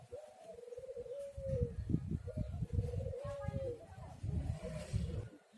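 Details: Spotted dove coos played to lure doves into singing: two soft, slightly wavering cooing phrases, partly masked by heavy low rumble and background noise.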